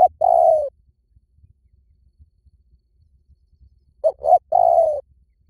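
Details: Spotted dove calling, a recording used as a lure said to bring doves in fast in any forest: a long low falling coo, a pause, then two short hooting notes followed by a drawn-out mellow coo.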